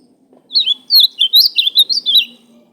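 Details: Ultramarine grosbeak singing a short, loud warbled phrase of about ten quick slurred whistles, rising and falling, delivered in a burst lasting under two seconds, against near silence with a faint low hum.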